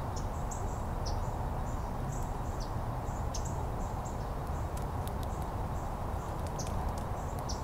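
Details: Early-morning painted buntings visiting a feeder in Miami, Florida, giving scattered sharp high chips and brief clipped notes, sometimes doubled, against constant heavy low-pitched ambient rumble.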